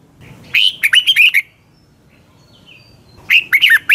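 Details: Morning training song of a Red-whiskered bulbul, used as a lure voice for other birds: two bursts of quick, clear, bouncing whistles separated by a long quiet pause, with a faint thin note in the gap.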